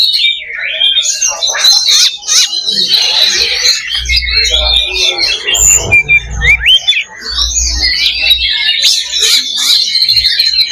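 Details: Kacer (Oriental magpie-robin) fighting simulation in loba style to raise fighting spirit. Harsh, squawking rasps mixed with high whistles and rapid chatter, with a low rumbling hum in the middle.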